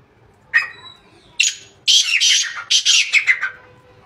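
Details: Black francolin (kala teetar), recorded 2-1-2024, producing a dense, scratchy sequence of rasping notes, rising in intensity and then tapering off, over about two and a half seconds.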